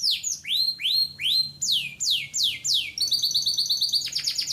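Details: A canary sings a sequence of rising whistled slurs followed by sharply falling sweeps, then switches to a fast, tight high trill of stacked notes, all clear and bright with a faint low hum beneath.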